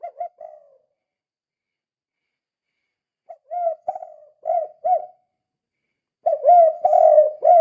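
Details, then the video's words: Spotted dove in 'kuk 2' calling style, used as a lure for other doves; the tail of one phrase, a long silence, then two phrases of repeated hollow coos, the final one loudest and fastest. "Suara Burung Tekukur Gacor Kuk 2 Sangat Ampuh Untuk Pancingan"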